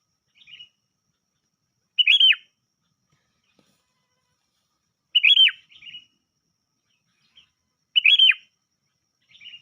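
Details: Sooty-headed bulbul lure call without filler: a loud, bright chirping phrase that arches in pitch and drops sharply, repeated about every three seconds, each followed by a short softer chirp. The background is silent.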